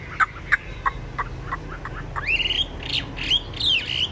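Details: Hand-tamed Chinese hwamei kept in a cage, described as large with a strong voice: several dry clicks, then bright, rising, slurred whistles delivered in quick bursts.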